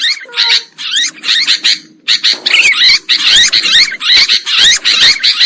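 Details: Sooty-headed bulbuls as a lure for trapping birds: busy, noisy chattering from many birds, scratchy notes tumbling about twice a second with winding whistled phrases, a short lull near two seconds.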